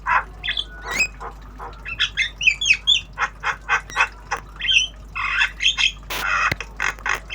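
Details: Tame black-winged starling learning sounds, giving rapid chattering phrases of harsh squawks mixed with short whistled and warbled notes in an almost continuous sequence, with one sharp click near the end.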